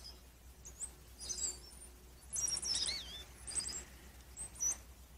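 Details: Indigo bunting (Passerina cyanea) song on 22 February 2021: about five bursts of high, thin, sweet chirps and slurred notes, unevenly spaced over five seconds, with a faint low hum behind.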